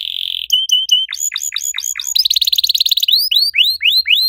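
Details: Active canary in the riwik style, with long cuit cuit bursts meant to set other canaries singing. A steady high whistle opens, then clipped notes, a run of steep downward-sweeping chirps, a fast buzzy trill and rising upswept notes.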